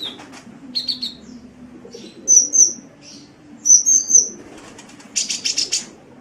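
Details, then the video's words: Sunbird song meant for training songbirds: short thin whistles, paired bright high notes repeated twice with pauses between, and a closing buzzy rattle, over faint low background hum. "Masteran Suara Kolibri"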